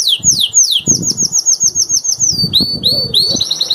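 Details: Canary, one of three master singers, moving from slow falling swept notes into faster high repeated notes and short rising phrases, with wing flapping and rustling beneath.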